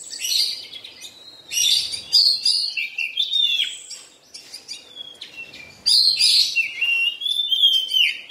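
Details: Oriental magpie-robin in molt pours out loud, rich phrases of scratchy notes and downslurred whistles, pausing briefly before a final strong burst.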